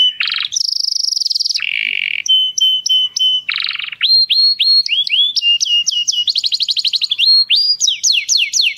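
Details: Singing canary, song meant for mating stimulation: mix of rattling trills, buzzy phrases and sustained whistles, followed by quick repeated upswept notes and fast descending trills, bright and continuous with no other sounds.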